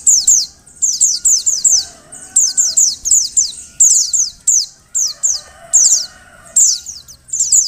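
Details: Calling female Oriental white-eye, meant to prompt males into song, gives rapid runs of very high, sharply descending thin notes in bursts of three to five, separated by brief pauses; soft low hum beneath.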